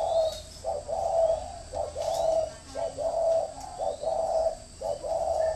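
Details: Decoy spotted dove from northern Vietnam giving "thổ mổ còi" cooing: a steady series of soft, low coos. A short lead note runs into a longer held note, repeated roughly every second.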